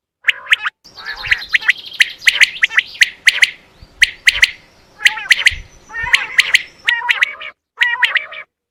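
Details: Quail lure recording for hunting: dense, continuous series of sharp, high triple notes, roughly one burst per second, with a few lower nasal notes and a constant background hum.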